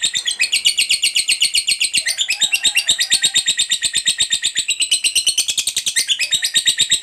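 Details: Chatty fighter-type lovebird in long ngekek song, used to coax other lovebirds into singing: a continuous, harsh, high-pitched chatter of fast pulses that carries on without pause for seven seconds.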